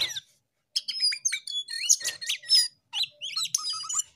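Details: Jongkangan in energetic full song (gacor): rapid, varied high whistles, sharp chirps and rising and falling slurred notes in dense bursts, after a brief pause near the start; no other clear sounds.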